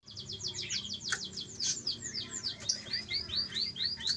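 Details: Canary at a breeding farm giving rapid trills of high downward-swept notes, then slower arched whistled notes, over a steady low background hum.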